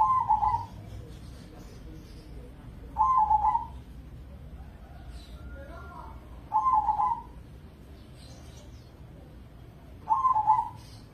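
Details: Actively singing crossbred zebra dove from Indonesia, a prize-winning competition bird: four bubbling, purred coo phrases spaced about 3.5 seconds apart, with a soft low hum and faint incidental noises between.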